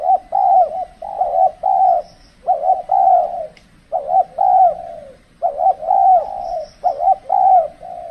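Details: Spotted dove calling persistently at a decoy trapping site during the extreme cold season. Loud rhythmic coo phrases of clipped and drawn-out hollow notes repeat with brief pauses between groups, and a faint high chirp appears twice.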